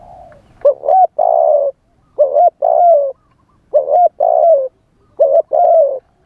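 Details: A live spotted dove decoy calls to attract wild doves with its wild-style song. Four cooing phrases come in quick succession, each a short clipped note and then a drawn-out, throaty, gently falling coo.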